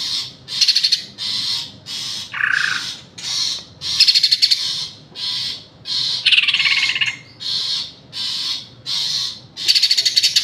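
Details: Continuous green leafbird song of high buzzy phrases roughly every second, mixing rattling trills with a lower slurred warble and a descending whistled note.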